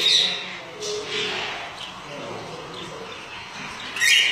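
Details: Lutino Alexandrine parakeet from a kept breeding pair: a harsh, high squawk opens the recording, then a quieter stretch with faint chatter, and a second loud raspy squawk near the end.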